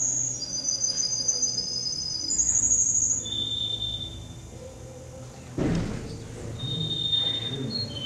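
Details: Competition canary, male number 10, at a contest in Rostov-on-Don, 22 January 2011: sustained high rolled trills held for seconds at a time, shifting between pitches, with a thump partway through and background room noise.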